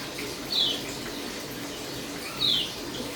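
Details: Caged Dakun-type white-eye on the third day of conditioning, still aggressive but starting to chirp: two short, bright, downward-sliding chirps about two seconds apart over a steady hiss.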